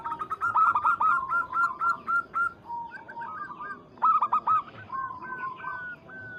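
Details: Local Zebra dove used as a lure to provoke a rival. Two phrases, each a fast stuttering burst of coos followed by a run of evenly paced, clear notes, with softer cooing between them.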